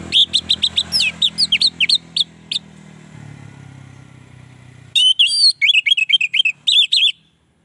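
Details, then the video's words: Orange-headed thrush song said to draw in other orange-headed thrushes: rapid bursts of sweet, varied, rising and falling whistled notes, a dense run in the first seconds, then a pause with low background hum, then another fast burst. "Anis merah lain pasti akan terpancing bunyi"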